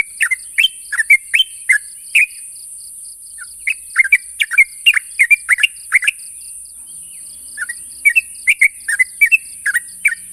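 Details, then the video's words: Sooty-headed bulbul calling to provoke a rival: repeated bursts of lively slurred, whistled chirps with brief pauses between phrases, continuing throughout, against a steady high-pitched hiss and a soft pulsed tone. "suara burung trucuk memanggil lawan"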